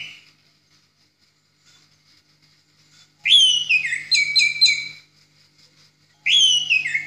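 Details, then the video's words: Orange-headed thrush singing loud and clear, used as a tutor recording: two bursts of rich, fluty whistled phrases full of quick descending slurs and rolling notes, with a faint low electrical hum underneath. "Masteran Anis Merah"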